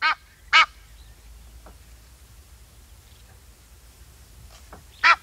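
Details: Egyptian goose uttering a few scattered, loud rasping honks separated by pauses, with softer, fainter calls in between.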